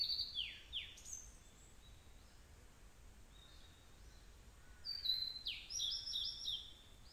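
A blue-and-white flycatcher sings high, clear whistled phrases with sweeping downslurred notes and short buzzy trills, in two bursts separated by a pause, over faint background hiss.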